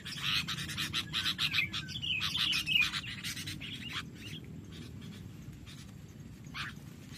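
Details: Birds fighting, giving rapid, scratchy chattering bursts for about four seconds that then fade to a quiet background, with one last short call near the end.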